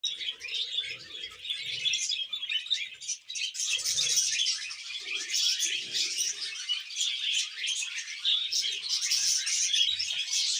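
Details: Budgerigars during mating and breeding: steady, busy high chattering with rapid scratchy chirps and warbled notes running throughout, with occasional soft low murmuring sounds beneath.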